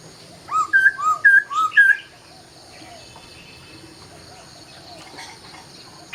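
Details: Dawn song of a laughingthrush: five quick, clear whistled notes, slightly rising in pitch across the series, followed by several seconds of near silence and a final loud note.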